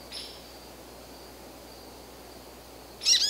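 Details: An American goldfinch (Spinus tristis) calls: a faint thin note, then a sudden bright, high chattering call after a near-silent pause.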